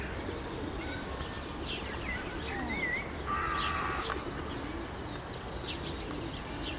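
Red-breasted geese give sharp, squeaky high-pitched yelps, scattered irregularly as from a flock, over a steady rushing background noise.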